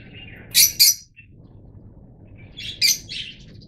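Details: Fischer's lovebirds of the yellow mutation: a pair of piercing, squeaky chirps early on, then a softer lead-in and another sharp chirp after a pause, over faint low rumble.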